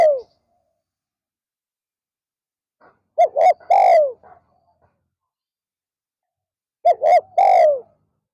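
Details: Spotted dove decoy calling during an afternoon lure session for wild doves, repeating a phrase of two brief hoots and one drawn-out descending coo roughly every four seconds, with silence between phrases.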